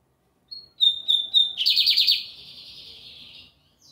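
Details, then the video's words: Lined seedeater song on a Sunday. A short whistle opens, then three steady whistled notes, then a rapid, harsh, buzzy trill that fades into a long, thin, rasping tail. The background is quiet. "Bigodinho Americano cantando muito na domingueira!"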